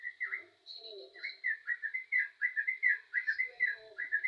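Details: Yellow-vented bulbul delivering rapid, rolling whistled notes in a continuous babbling phrase after a short opening burst; faint low murmur in the background.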